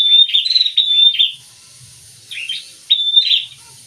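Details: Two prinias singing together, a rapid run of high, sharp chirps for over a second, a pause, then two more short chirping bursts.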